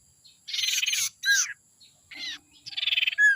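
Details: Lure calls of a young forest sirtu: two long, rasping, rapidly pulsed buzzes broken by short slurred notes, ending in a bright descending whistle.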